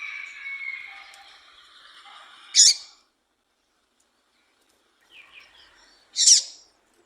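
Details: Female double-collared seedeater calling to stimulate males, two loud, harsh, high buzzy notes about three and a half seconds apart, with faint whistles and chirps of other birds in the background.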